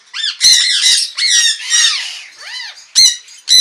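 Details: Jenday conures in an aviary, calling in the morning: loud, harsh, rasping squawks in quick succession, some rising and falling in pitch, nearly continuous over a few seconds.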